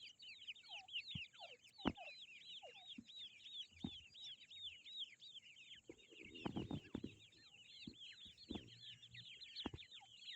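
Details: Baby Grey francolins (teetar) in a steady, high-pitched cheeping chorus of short arched notes, joined by scattered knocks and a burst of rustling handling noise partway through.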